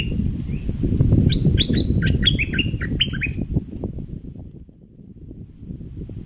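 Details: Thick-billed flowerpecker, southern form, recorded as a lure: a fast sequence of high chirps falling in pitch over two seconds, partly masked by loud low rumbling noise that fades later.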